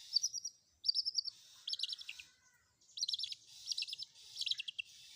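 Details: Long-tailed shrike singing combined fill-in phrases: repeated short bursts of rapid, buzzy, stuttering high notes, each lasting about half a second, with brief gaps between them.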